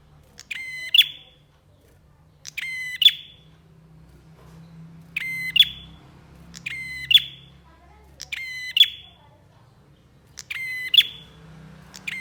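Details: Bar-winged prinia song in a songbird training recording: seven identical phrases spaced about two seconds apart, each a harsh buzzy rattle ending in a bright piercing note, above quiet low hum.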